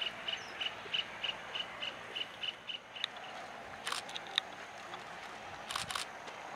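A red munia gives thin, high chirps about three times a second for three seconds, then falls quiet; a few sharp rustling clicks follow.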